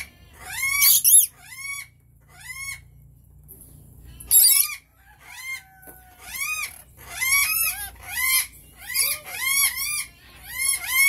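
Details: Rainbow lorikeet calls: a burst of squeaky arched notes, a pause, then a steady run of squealing calls roughly every half second, each rising then dropping in pitch.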